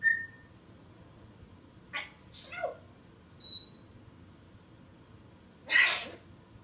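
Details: Pet African grey parrot at home, sounding off when its owner walks to the kitchen in hope of a snack. A brief whistle, then sharp sneeze-like bursts and a high whistled double note, with the loudest burst near the end.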